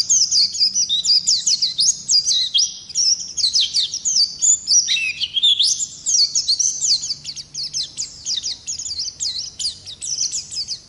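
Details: Long rolling song of an Oriental white-eye, ngalas type: an unbroken, rapid, high twittering of sweeping slurred notes, steady and energetic, with a slight drop in pitch midway.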